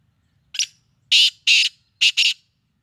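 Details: Black francolin calling a full harsh phrase: a short sharp note, two longer rasping notes, then a quick clipped pair, all loud and grating with brief pauses and otherwise still background.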